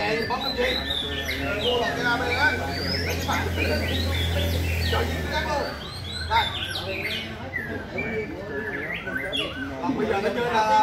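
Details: White-rumped shama giving rhythmic song: many short whistles and slurred chirps scattered over a deep continuous hum.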